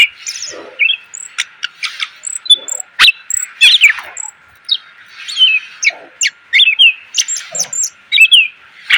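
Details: Greater green leafbird full song for training cage birds, continuous high chirping, clear whistled notes and some harsher rasping elements mixed into a rapid, varied sequence.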